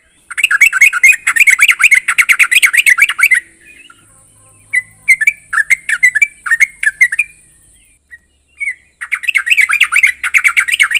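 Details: Yellow-vented bulbul giving bubbly, chattering phrases of quick liquid notes in bursts of several seconds with short pauses; a call said to make other bulbuls answer.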